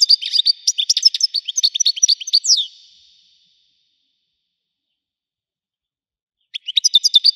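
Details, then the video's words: Wedani-style goldfinch song: a cascade of fast, high, tinkling notes that ends in a slurred downward whistle, then more than three seconds of silence before a new burst of chirping. "حسون ويداني حصري صوت مزلزل"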